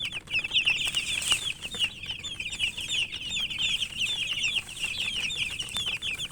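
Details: A brood of chicken chicks cheeping continuously, with high, piercing, downslurred notes packed tightly together and a soft hiss behind them.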